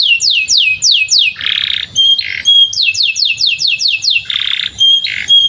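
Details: Canary beside a field, sung for young canaries learning to sing; runs of high falling whistles broken by harsh buzzy rasping bursts, with thin sustained whistles between phrases.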